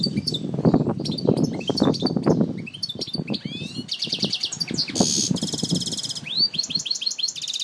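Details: Algiers European goldfinch song: scattered high twitters over low rumbling background noise at first, then clear buzzy rattles, a long harsh trill, and a closing series of rising, looping chirps.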